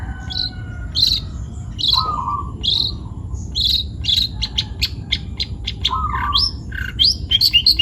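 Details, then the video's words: Young forest long-tailed shrike from Pati, Central Java, singing steadily: short bright notes repeated roughly every second, then clicks and quick sharp calls, with a low whistled phrase twice in the background. "CENDET PASTOL MUDA HUTAN (MH) GACOR BUNYI"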